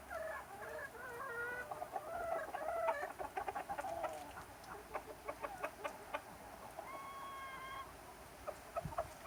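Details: Chickens and roosters in summer, a flock giving many short clucks and murmurs, with a few drawn-out tonal calls toward the end; steady low background hum.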